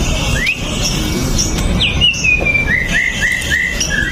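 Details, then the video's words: White-rumped shama lure song, meant to set other shamas singing: a series of short, sweet slurred whistles, several rising then dipping, repeated in quick succession over steady low background noise. "PANCINGAN MURAI BATU LANGSUNG BUNYI 100% GACOR TANPA HENTI"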